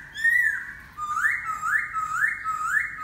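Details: Laughingthrush in song: a bright whistled note, then a series of upslurred whistles repeated about every half second, clear and loud.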